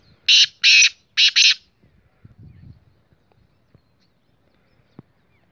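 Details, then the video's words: Black francolin, known locally as kala teetar, giving four loud, harsh, grating notes in two quick pairs within about a second and a half, followed by near silence with faint low rustles. "Black frencolic voice video kala taatar voice"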